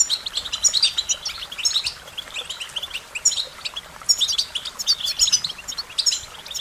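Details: American goldfinch singing a bright, high twitter delivered in rolling clusters of quick notes, about one burst every second.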